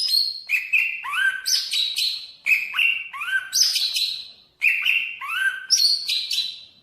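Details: Banyuwangi greater green leafbird repeating a patterned phrase of stepped whistles that climb from low to high, followed by dense, buzzy high notes, with each cycle lasting about two seconds.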